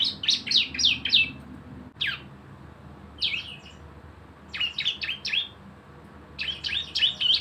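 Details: Javan white-eye in 'nembak bren' song used as a lure to make birds sing: short clusters of rapid, high, down-slurred chirps separated by pauses of one to two seconds, with a single sharp note between.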